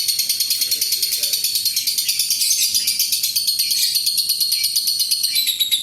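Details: Long ngekek trill of an adult fighter lovebird, used to draw other lovebirds into trilling: shrill, fast, rattling chatter with rapid pulses pouring on without a break for nearly six seconds.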